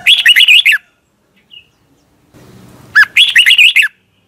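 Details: Red-whiskered bulbul kept as a cage bird in Thailand, singing the doubled (เบิ้ล) song: two matching bubbly whistled phrases about two seconds apart, with a faint low murmur in the gap.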